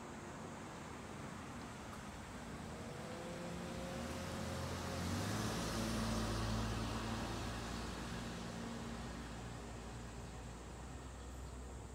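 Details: A road vehicle passes, its engine rumble swelling to a peak midway and then fading, over a steady low traffic hum with no animal voices.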